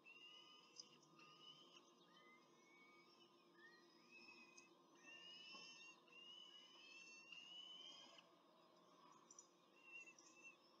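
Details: Peregrine falcon at a nest in Rome during a short feeding, with the adult pair and two chicks, 21 April 2024: a run of thin, high, rising squealed whistles about once a second over faint steady hiss.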